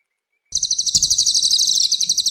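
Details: Cililin bird recorded for cage-bird training: after a half-second silence, a sudden high, rapid, buzzy trill of quickly pulsing notes runs steadily to the end.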